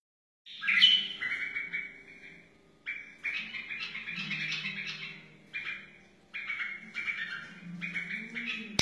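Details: Wild white-eared bulbul song, used for teaching chicks and encouraging other bulbuls: short whistled phrases in bursts separated by brief pauses, warbling and slightly descending, with a faint low hum beneath.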